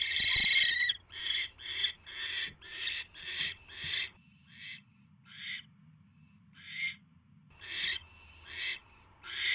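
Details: At night on 24 January 2016, a male owl delivers a third mouse to his mate; a run of rapid, scratchy rasping calls, a short pause with soft rustling, then the raspy bursts resume more slowly.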